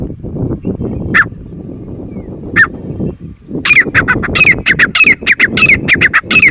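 Grey francolin giving harsh, shrill, ringing notes, rapidly repeated about three per second in a loud series, over a steady low rumble of background noise.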